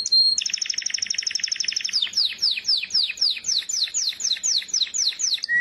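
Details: Canary in song: a dense rattling trill of rapid repeated notes, then a slower series of bright downward-slurred whistles at roughly four per second.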